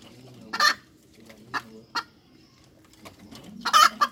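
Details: A hen cackles with spaced, raspy clucks at uneven intervals, building to a loud, drawn-out squawking note at the end.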